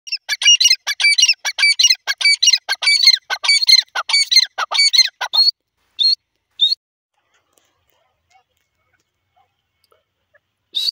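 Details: Grey francolin, known locally as teetar or dakni, giving a rapid, dense run of sharp, squeaky high notes for about five seconds, then a few isolated notes and near silence, with no other sounds.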